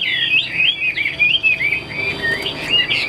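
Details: Captive Chinese hwamei giving smooth warbled whistles that wander up and down in a flowing line, with a steady faint tone in the background.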